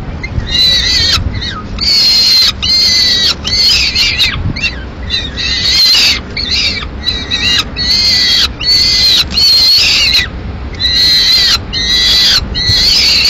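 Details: Solitary peregrine falcon nestling in Madrid, Spain, 22 May 2016, crying for food while the female eats a swift brought by the male; rasping high screams in a steady series of roughly one-second bursts.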